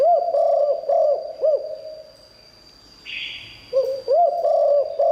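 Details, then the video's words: Spotted dove with a fine liu tan style voice, used as a lure for wild doves: hooked, mellow coos, a quiet gap with a brief hiss, then the cooing resumes; a thin high tone persists. "เสียงนกเขาใหญ่หลิ่วตัน คารมดี รับลองนกป่าเข้าแน่นอน"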